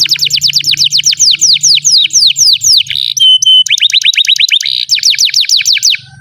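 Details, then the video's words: Canary singing loudly and continuously, as a tutor recording for young or non-singing canaries: long series of fast, falling whistled notes repeated several times a second, broken briefly by a steady pure tone and a quick buzzy roll; faint low hum early on. "SUARA BURUNG Kenari GACOR PANJANG INI Cocok untuk Masteran KENARI PAUD dan Kenari Macet BUNYI"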